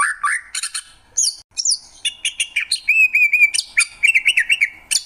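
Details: Varied song of a greater green leafbird: short slurred notes and bright chirps, then a quick level warbled trill and more rapid chattering phrases, crisp and close.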